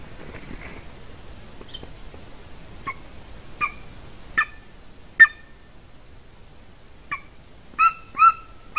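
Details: A female golden eagle at her Latvian nest is caught by a nest cam on 30 January 2019 giving scattered thin yelps. Single notes come first, then a quick cluster of louder, ringing yelps near the end.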